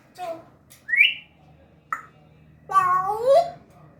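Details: African grey parrot, a pet talking in Urdu and Hindi, indoors: a short rising whistle, a sharp click, then a longer harmonic, speech-like phrase that bends down and up, with a low hum in the room.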